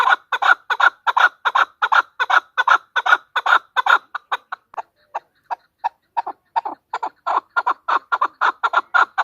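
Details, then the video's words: Female chukar partridge call, a steady run of harsh clucks at roughly two and a half per second. The notes grow weaker and sparser midway, then return strong and regular. "chukor|chowkor|chokor|female partridge is calling|female birds|مادی چکور کی آواز|مادی چکور کی بولی۔"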